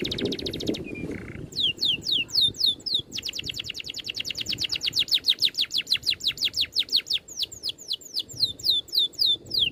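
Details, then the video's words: Training song with a tight roll and neat bursts: a buzzy rattle and short flat whistles open into rapid chains of sharp descending whistles and a long quick trill, steady and unbroken for several seconds. "BURUNG NGEROL RAPAT TEMBAKAN RAPI"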